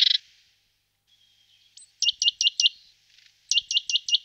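A great tit sings two quick bursts of four bright, repeated notes, each falling then hooking upward. A faint thin whistle and a short chip come before them.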